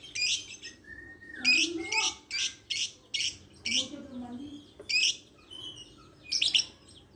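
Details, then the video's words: Lovebird's fast bursts of shrill, buzzy chirps with quieter low sounds in between and occasional thin whistles. "Suara burung Lovebird"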